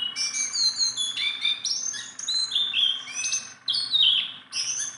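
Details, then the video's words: Continuous warbling from a tame jongkangan, the Sunda bulbul: clear whistled notes slurring downward, interleaved with sharp chirps in an unbroken stream lasting several seconds. "BURUNG JONGKANGAN GACOR TELER"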